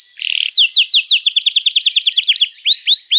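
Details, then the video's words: Canary song meant for training juveniles: a buzzy opening, then a quick run of paired whistled notes sweeping down, about seven per second, ending with three slow rising whistles. "Kenari Gacor Panjang Cuit Cuit Emosi, Pancingan Kenari Paud Belajar Bunyi"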